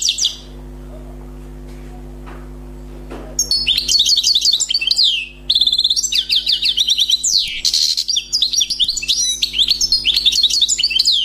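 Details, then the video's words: Newly trapped wild European goldfinch singing: after three quiet seconds, sustained rapid tinkling twitters and buzzy trills, fast and varied, running almost continuously to the end, with a low steady electrical hum underneath. "غناء حسون بري صيد جديد #chant chardonneret"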